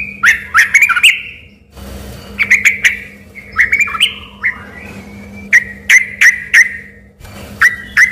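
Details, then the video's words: Sooty-headed bulbul singing hard, its song confused with a magpie-robin's: varied slurred whistles, quick chattering clusters and a row of evenly spaced loud notes near the end, over a soft steady hum. "semula di kira suara burung MURAI BATU beneran eh ternyata cuma suara TRUCUK GACOR"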